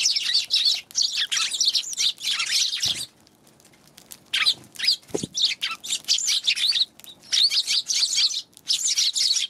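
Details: A flock of Eurasian tree sparrows chatters on 11 January, giving loud, continuous chirps and twitters that overlap densely. The calling breaks off briefly during a couple of low thumps, then resumes.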